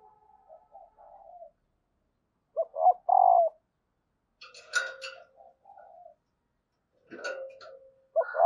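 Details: Female spotted dove call, used to prompt males to coo: a soft drawn-out note, then a phrase of two clipped coos and a long mellow coo, mixed with scattered scratchy, clicking noises.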